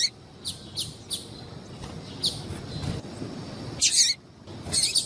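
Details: Piadeira calls of a female double-collared seedeater, meant to excite males: a few spaced, thin, high chirps early on, then louder rasping chirp bursts near the end, against faint low background noise.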